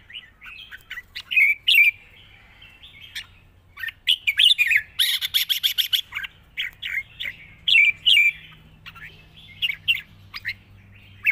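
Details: Caged red-whiskered bulbul sings long, bright, liquid whistled phrases in quick bursts, some with rapid chattering trills, separated by short pauses over a faint low hum.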